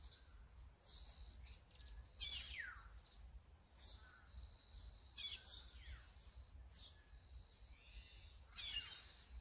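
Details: Azure-winged magpie filmed with a Sony A9 and 200-600mm lens; harsh, buzzy calls with descending sweeps and nasal notes repeat every couple of seconds, over a steady low rumble of background noise.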